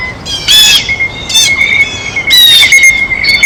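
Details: Blue jays at a feeder while eating: short, harsh squawks in three distinct bursts with brief gaps, over a continuous thin high-pitched tone.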